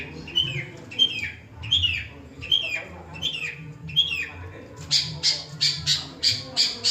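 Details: Long-tailed shrike (cendet), a bird that copies other species, gives short whistled notes that slide downward, repeated about once every 0.7 seconds, then switches to quick harsh rasping chips.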